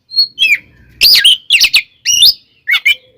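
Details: An Oriental magpie-robin's combative song used as a lure to make other magpie-robins angry; a thin whistle, then dense harsh bursts with buzzy overtones and quick slurred notes, about one phrase every half second, with faint low rustling.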